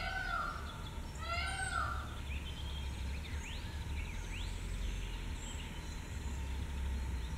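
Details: Leucistic white peafowl giving two loud nasal, harmonic wailing calls in quick succession at the start, followed by softer rising and falling whistled chirps from other birds over constant low-pitched rumbling outdoor noise.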